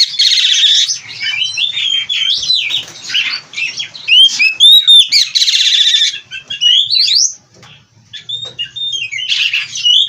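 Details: Captive oriental magpie-robin delivering a vigorous 'gacor full isian' song: bursts of harsh chatter alternate with looping, rising whistles, a short pause near the end before the singing resumes.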